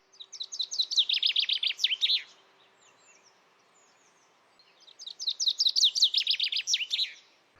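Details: A Common chaffinch in woodland in early spring in the UK gives two bright song phrases, each a fast run of notes tumbling down the scale and ending in a flourish, over a faint steady hum.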